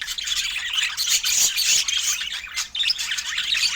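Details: Budgerigars calling while they feed. Shrill chirps and raspy squawks overlap in a lively, unbroken stream, with short whistled notes standing out in the middle and one brief dip in loudness.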